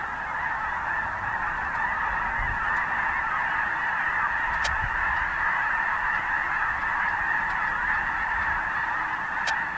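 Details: Large flock of snow geese on the Richmond marsh, Vancouver, British Columbia, Canada, on 25 December 2018: a dense, continuous wall of overlapping honks with no gaps, and an occasional sharp click.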